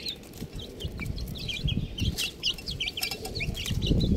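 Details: Chicks chirping with shrill, falling peeps repeated rapidly, partly covered by loud low thumps and scuffling noise that grows toward the end.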